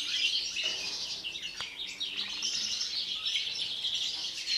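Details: European greenfinch singing before the breeding season: a continuous, dense stream of rapid high twittering and trilled notes with no breaks, over a faint low background hum.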